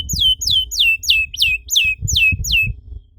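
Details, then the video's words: Canary singing as a lure for other canaries: seven loud down-slurred whistled notes repeated about every half second over low background rumble and knocks. "PANCINGAN EFEKTIF BURUNG KENARI, CORR DORRR!!"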